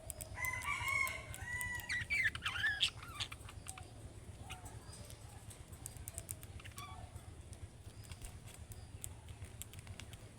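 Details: Budgerigar, the calling-style song of young birds that draws answers from other budgerigars: warbling, slightly buzzy chirps and whistled notes in the first three seconds, then quieter scattered clicks over a steady low hum.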